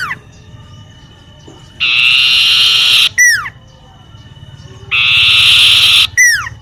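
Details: In a garden near home, a common iora repeats its phrase twice: a sustained harsh buzzing rattle of over a second, each one ending in a quick descending whistled note.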